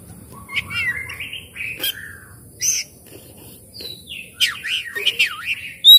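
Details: Oriental magpie-robin, a lure recording to coax a quiet bird into singing and opening its tail: sweet slurred whistles, sharp clicks and rapid warbled notes, varied phrases with brief pauses, faint background noise.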